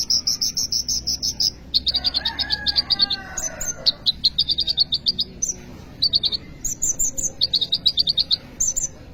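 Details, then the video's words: Kolibri ninja sunbird in full gacor song, used as a lure and tutor for untrained birds: fast, high, stuttering trills of clipped notes in bursts, with brief pauses and a few thin whistles between phrases. "kolibri ninja gacor cocok untuk pancingan atau maateran burung bahan"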